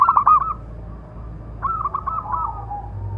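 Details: Local Indonesian zebra dove with a big, loud voice, singing a calling song meant to train and provoke other doves: two bursts of rapid, rolling coo notes, the second trailing into a drawn-out lower coo.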